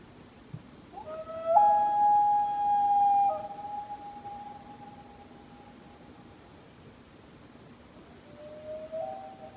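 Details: Loons of a calling pair at night on Washington Pond, Maine: a long sustained wail rising and then falling away, with a softer answering note near the end.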